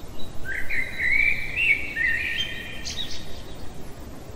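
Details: A night-singing blackbird gives a full warbled phrase of rich flute-like notes that rise and fall, finishing with a few scratchy high squeaks, over a steady low background.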